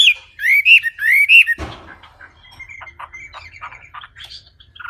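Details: Wambi bird song: a few loud, looping whistled notes for a second and a half, followed by a thump and soft, scattered chirps.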